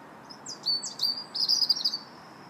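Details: Park robin in early March singing a fast phrase of high thin whistles and twittering notes, ending in a sustained trilling run, with low steady background hiss.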